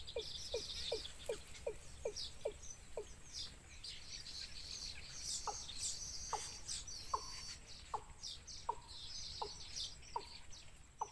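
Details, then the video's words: Wild nestlings beg their mother for food: quick downward notes about three a second, then slower ones, against a dense layer of high squeaky chirps. "Baby Birds Pulls Mother Down Because They Want Food"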